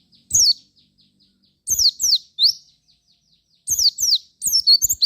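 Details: Javan white-eye singing as a lure to get other white-eyes singing: clusters of thin, high descending slurs and rising whistles, with a faint steady tone running under the first second.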